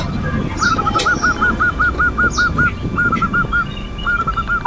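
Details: Zebra dove (perkutut) singing its manggung lure song to stir rival emotion: a quieter, steady string of about ten evenly spaced arched coos, a short pause, then more, with soft chirps and background hum.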